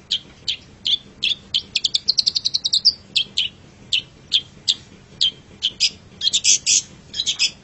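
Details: Long-tailed shrike song for training songbirds: sharp high clicks and chirps, a rapid stuttering burst, then spaced single notes and a busy closing cluster.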